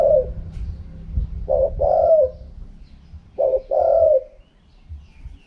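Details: Wild-style khaham pa cooing of a spotted dove: a trailing coo, then two full phrases of a clipped note followed by a drawn-out, slightly falling coo, about two seconds apart. Faint low knocks in the background.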